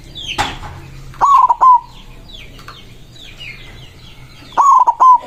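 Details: Rival-calling song of a white zebra dove: two loud staccato cooing phrases about three seconds apart, each a burst of quick pulses ending in a drawn-out coo, after a sharp click, over soft chirps from other birds.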